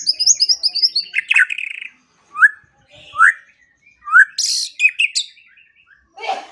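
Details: White-rumped shama song meant to coax quiet birds into singing, morning and evening. A quick high twittering run gives way to separate rising whistles spaced about a second apart, with a harsh burst between them.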